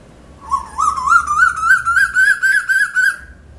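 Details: A male Asian koel calling loudly: a fast run of about ten clear, ringing notes climbing steadily in pitch over three seconds, over a faint low hum.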